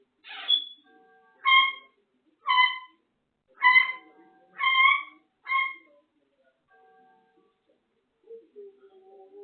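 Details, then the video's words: African grey parrot whistling the Andy Griffith theme tune: six clear whistled notes about one per second, each with a higher overtone. These are followed by faint soft tones and a few low, rougher murmured sounds. "african grey parrot whistling Andy Griffith theme, coughing, meowing, laughing"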